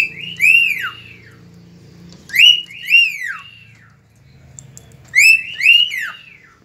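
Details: Cockatiel whistling at dawn, recorded 3 September 2019: paired loud whistled phrases, each rising then sliding steeply down, repeated three times with pauses, faint low humming in the background.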